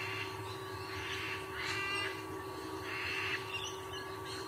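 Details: Sea eagle male on the nest in Sydney, Australia: a few hoarse, nasal honking calls in short bursts, with a constant low mechanical hum underneath.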